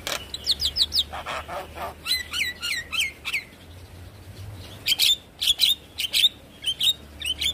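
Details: Javan myna lure song for stirring a quiet bird to sing: quick series of sharp downward-slurred whistles, then harsh squawks and spaced bright chip notes with brief pauses.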